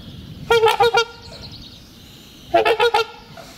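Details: Trumpeter swans trumpeting loudly during courtship that renews the pair bond each spring and marks territory; two bursts of four resonant horn-like notes, half a second apart, separated by a quiet gap.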